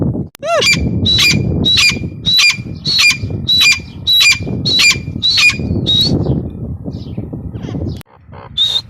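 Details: Female grey francolin (teetar) calling: a loud series of sharp, two-part high notes, each a brief rising whistle dropping to a lower note, repeated about every 0.6 seconds, over low rumbling background noise.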